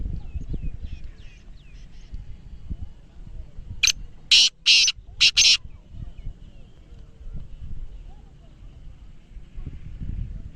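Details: Black francolin (kala teetar), kept for sale in Pakistan, with a 'speeder', 'chakri wala' calling style: one burst of four loud, harsh, grating notes in quick succession, with men talking and faint bird chirps throughout.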